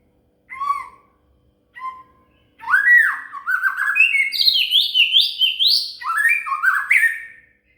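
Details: Shama (murai) singing as song material for a cililin: two short separate whistles, then a long, lively sequence of rising slurred whistled phrases, rich and varied, climbing and dropping in pitch.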